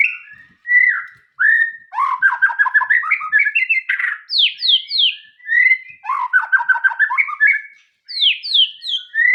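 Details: Loud whistles and rising rattled trills from a white-rumped shama, with steep downslurred high notes repeated in pairs, pattern given twice.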